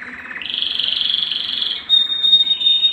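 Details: Canary song meant to excite hens for breeding: a sustained high buzzy trill that rises at the start, then a clear pure whistled note.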